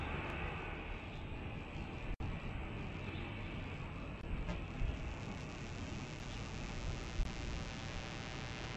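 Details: Low roaring road traffic and passing vehicles fill the midday scene at Cornell, with no hawk or other animal call heard.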